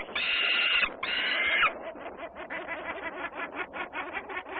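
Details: Peregrine falcons in Włocławec, Poland, 6 June 2010, Sunday afternoon: two drawn-out rasping screams, followed by a fast run of short, scratchy, chattering notes.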